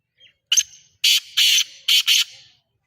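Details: Black francolin (kala teetar) calling: a short harsh note, then a run of loud, grating, buzzy notes in quick succession, the last two closely paired, with no other sounds.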